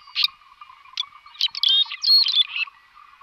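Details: Red-rumped swallow calling as a lure, a quick run of sharp chirps and twittering notes, some with short whistled slurs, building to a dense chattering burst near the end, with a faint steady hum beneath.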